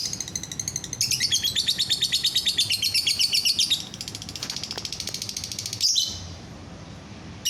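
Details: Sustained lovebird song: a long stream of rapid, buzzy, high-pitched pulsed chatter that rises and falls in intensity, ending with a sharp squeak. It is meant to set off other lovebirds singing.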